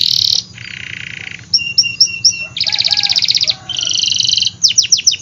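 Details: Vigorous canary song, used to stimulate reluctant canaries to sing. High buzzy rolls are held for about a second each, alternating with short whistled notes, rapid pulsing trills and quick downward sweeps at the end.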